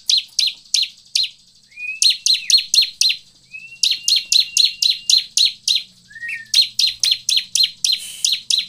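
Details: Bar-winged prinia lure song to prompt other birds into song: long bursts of rapid, piercing, downward-sliding chips, four a second, broken by brief pauses and a few soft rising whistles.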